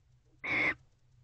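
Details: A barn owl at its nest box at night, 24 November 2023, as two owls return home: one short, harsh screech with a shrill tonal edge, lasting about a third of a second, over faint low hum.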